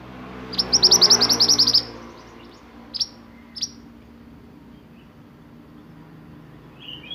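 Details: Sunbird (burung mantenan) singing roll nembak style: a fast ringing trill of about a dozen very high notes, then two single sharp chips and a soft closing whistle.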